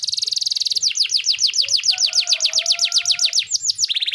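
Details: Canary in full, persistent 'gacor' song, used to prompt stalled canaries to sing again: a fast buzzy trill opens, then steady downward-sweeping whistled notes repeat about six per second before another rapid trill, with a faint low tone underneath.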